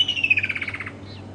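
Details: Woodland kingfisher, a summer migrant calling during the summer mating season at Djuma Game Reserve, South Africa. A sharp high opening note drops into a fast descending trill of about ten clipped notes lasting under a second, with quiet background afterwards.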